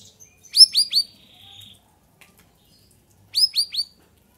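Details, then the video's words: Straw-headed bulbul singing in the afternoon: two loud bursts of three quick, bright whistled notes, each swooping downward, with a soft trailing note between them. "CUCAK RAWIS/BAYEMAN GACORRR SORE HARI"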